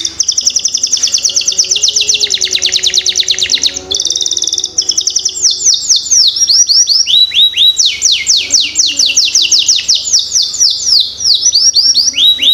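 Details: Canary pancingan song to get young canaries singing: long bright trills of rapid notes, a brief dip, then loud cascades of falling whistled sweeps and rolling phrases, with a faint hum below.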